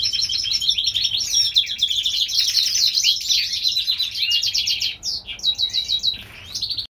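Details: California-raised European goldfinch hybrid in spring song: sustained rapid warbling twitter of high tinkling notes and trills, loosening toward the end into separate repeated chirps.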